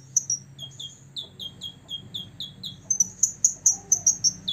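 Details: Six-year-old olive-backed sunbird singing to provoke opponents: a steady chain of falling, slurred high whistles about twice a second, ending in a row of sharp, ringing very high notes.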